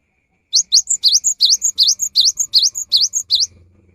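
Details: Cinereous tit singing in the afternoon, prompting others of its kind to sing: after a brief silence, a steady string of about nine loud, high, down-then-up whistled notes, ending with a soft low rumble.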